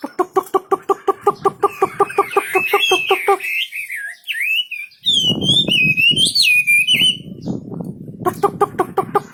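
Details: Singing wambi bird: a fast series of harsh pulsed notes, then a long, wavering, whistled warble, with low background noise and then more pulsed chatter.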